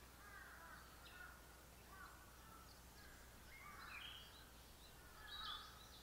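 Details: A Brown-headed thrush (akahara) recorded on 28 April 2019 sings short, fluty phrases about once a second, mid-pitched with thin, high notes at the end, over a steady low outdoor hiss.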